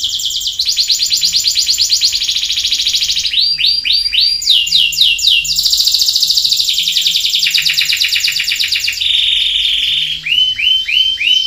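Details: Canary singing a continuous, loud song of rapid rolling trills in distinct tours, each a fast-repeated syllable at a different pitch. Clusters of swooping notes are mixed in, and the song ends with slower, separate descending notes.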